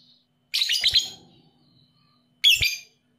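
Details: Lovebird lure recording in 'paud' style for prompting sluggish lovebirds to call: a long, scratchy, shrill chirp burst with a few quick notes, then a shorter sharp squawking chirp about two seconds later.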